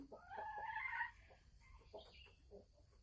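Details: Sumatran red junglefowl hen, caged, about to lay eggs, recorded 24 December 2020: a short run of harmonic, nasal notes in the first second, then fainter scattered clucks over a low background hum.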